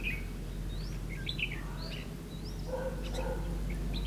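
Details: Red-whiskered bulbul at a bird trap on 9 September 2016, with quick rising chirped notes and short upslurred whistles scattered irregularly, over steady low rumbling background noise.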